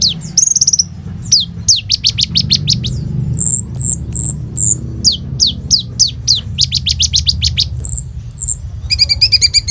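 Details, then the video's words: Sunbird, called kolibri ninja, singing a rich mimicry-laden song on a phone recording: rapid bursts of high downslurred chirps and short whistled notes, a buzzy rattle at the end, over noticeable low background rumble. "SUARA BURUNG KOLIBRI NINJA GACOR FULL ISIAN ROLL TEMBAK INI, COCOK BUAT PANCINGAN KONIN BAHAN/IJOAN"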